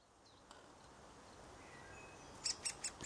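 A young great spotted woodpecker gives four sharp, high 'kik' notes in quick succession near the end, over a soft background hiss.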